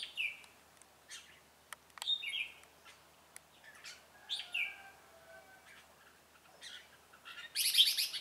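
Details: Red-whiskered bulbul of the 'ché cười' song style, a decoy bird used to trap wild bulbuls, recorded 25 June 2018: bright whistled phrases rising and falling, in several bursts with pauses, ending in a loud, harsh, rapid burst.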